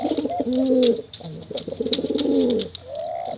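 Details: Male and female contest pigeons cooing: low, rolling coos that swell and bend downward, overlapping one another, with sharp clicks and faint chirps above.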